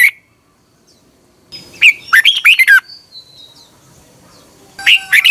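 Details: Red-whiskered bulbul morning song for training, recorded in 2021: a single short note, silence, then a burst of rapid, bright down-slurred whistles and a thin high whistle, ending with another burst.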